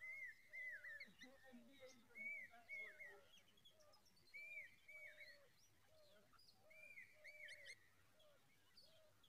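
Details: Babbler chicks begging for more food to fill their tummies: loud, slurred, downward-bending calls repeated in bursts about every second, several overlapping, with fainter lower notes and a soft background hum.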